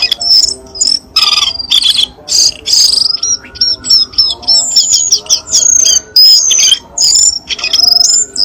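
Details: Cucak keling lure sound meant to make a lazy caged bird sing again: rapid high trills and sharp chirps in bursts, with repeated whistled phrases and a faint musical hum underneath.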